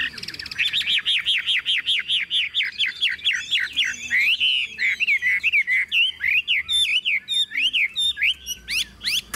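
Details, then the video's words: Tame caged Chinese hwamei singing while its cage is carried by hand and shaken: a fast run of loud, repeated down-slurred whistles, then varied looping, swooping phrases with sharp high ticks. "Họa mi thuần điện căng đét - Xách tay lắc lồng hót đỉnh"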